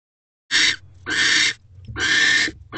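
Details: An owl pair mating in a nest box at 7:47 pm on 15 December 2023; an owl gives three harsh, hissing screeches, each about half a second long, about one second apart.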